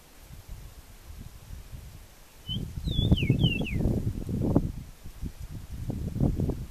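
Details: Song of an Eastern meadowlark recorded in Venezuela: a short run of clear whistled notes, gliding downward in a few steps, half-buried under strong low-pitched rumble and rustling.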